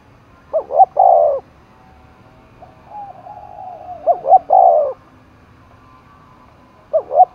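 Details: Spotted dove urged into a cooing contest, Dong Nai, Vietnam: two-plus-one note coo phrases spaced several seconds apart, a quieter drawn coo heard in a gap.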